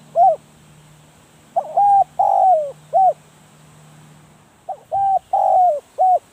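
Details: Spotted dove kept as a decoy bird for trapping, giving two cooing phrases, each a short note, a pair of even hoots, then a long falling coo and a final clipped note, separated by a pause of over a second.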